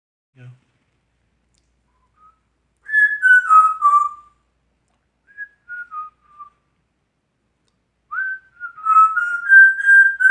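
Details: Male pet African Grey parrot whistling his own original compositions indoors: brief sliding whistled notes, a few short descending phrases, then a longer wavering, warbling whistle toward the end.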